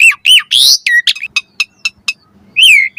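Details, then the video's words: Asian pied starling song used as a master recording for training caged birds: loud, varied phrases of squawky arched notes, short sharp whistled clicks repeated rapidly, and a ringing slurred whistle near the end. "Masteran Suara Burung Jalak Agar Gacor Full Isian"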